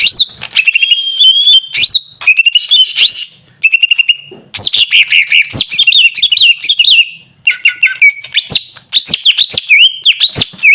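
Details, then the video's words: A long, rich outpouring from a greater green leafbird: bright whistled phrases, fast trills and mimic-like slurred notes, rising and falling without break over nearly eleven seconds. "Cucak Ijo Macet dan Bahan Denger, langsung nyaut dan bunyi"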